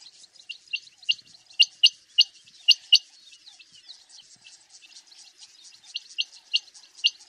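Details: Quick high notes from a common quail, grouped in short bursts of two or three and repeated about once a second, over soft background chirps.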